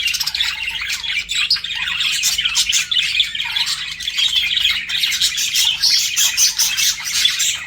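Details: Flirting pet budgerigars keep up a continuous, dense warble of high chirps, squeaks and scratchy notes without pause, several voices overlapping throughout.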